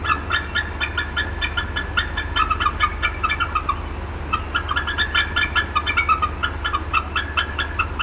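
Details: Bald eagle mother at the Decorah North nest, 18 April 2016, agitated and clucking at length; continuous quick high-pitched chatter in long rhythmic series, pausing briefly midway, over a low constant hum.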